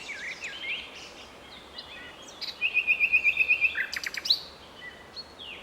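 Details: A common nightingale sings in a town park in Strzelce Opolskie, Poland, in May 2012: varied whistled phrases, including a fast run of about eight sharp repeated notes and a dry rattling burst, over steady background hiss.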